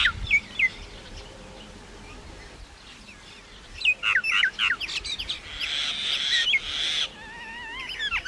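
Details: Myna producing scattered whistles, then a dense burst of chattering clicks and a grating rasp, ending with wavering, warbled whistled notes.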